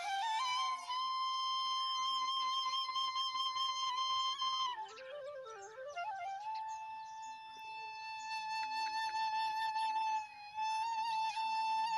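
A sustained flute-like wind instrument plays long held notes with a brief wavering passage, and no animal voice is heard.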